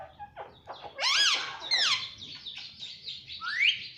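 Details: Pet Indian ringneck parakeet chirping: rapid short notes lead into two loud, harsh, arched squawks, then buzzy chatter and a rising screech near the end.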